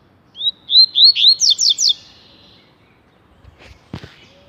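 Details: Rusty-collared seedeater in tui tui song: a rising whistled introduction, then several quick loud slurs and steep down-sweeping notes, followed by silence broken by faint knocks.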